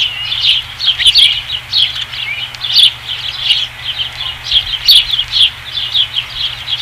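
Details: Osprey at the Dunrovin Ranch nest, 5 August 2016: a continuous stream of quick, high chirping notes in small bursts, moderately loud and fairly even throughout.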